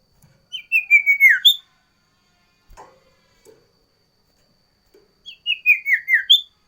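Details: Sooty-headed bulbul repeating a loud whistled song phrase twice. Each phrase is a rapid series of descending notes capped by a higher whistle, and a few faint clicks are heard between them.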